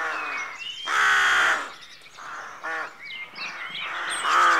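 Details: Dawn at a rookery: rooks give drawn-out, raucous caws, one lasting about half a second and another at the end, between shorter throaty calls and a busy background of other birds.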